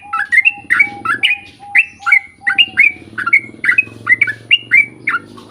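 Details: Yellow-vented bulbul in chatty, long rapid-fire song, used as a lure to get birds of its kind singing back: quick runs of bright, slurred chirps rising and falling, with a steady lower whistled note repeating beneath and a soft hum.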